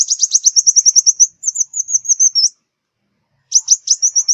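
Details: Southern Vietnamese five-colour sunbird song used as a lure for glue traps: rapid high thin trills of sharp repeated notes, then a twittering run, a pause, and another fast burst of sharp notes.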